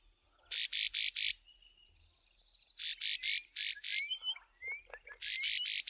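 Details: Karoo prinia in the southern Karoo giving harsh warning calls early in the morning at a passing person near its roosting bush: bursts of three to four loud buzzy notes, interspersed with thin rising whistles.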